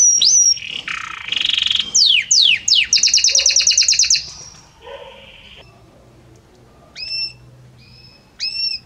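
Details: Belgian canary singing a harmonious song with many different notes, shifting gradually from one note to the next: whistled slides, fast downward sweeps, a rapid buzzy trill of repeated notes, then a pause and clear upward-hooked whistles.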